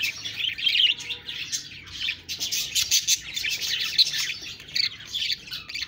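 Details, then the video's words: Budgies in steady chatter, layering rapid high chirps, scratchy warbles and short squeaky tweets into an unbroken busy babble with frequent louder bursts, nothing else clearly audible. "Budgies Birds talking sound Birds chirping sounds"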